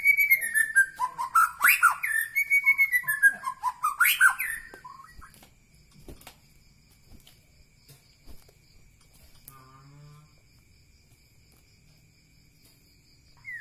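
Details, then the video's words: Medan Bahorok White-rumped shama giving a loud, fast jumble of whistled and chattering notes for about four seconds, followed by near silence with faint clicks and a brief low hum. "ciri ciri murai batu Medan Bahorok"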